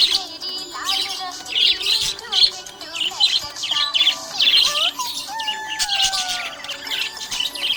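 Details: A happy budgie keeps up a stream of scratchy chirps and quick rising and falling whistled notes, with song music clearly audible underneath.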